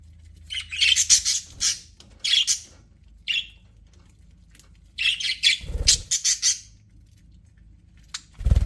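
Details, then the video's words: Pet budgerigars in an aviary, chirping happily: bursts of buzzy, scratchy chirps concentrated high in pitch, in clusters separated by short pauses, with a low background hum. "HAPPY BUDGIES SOUNDS"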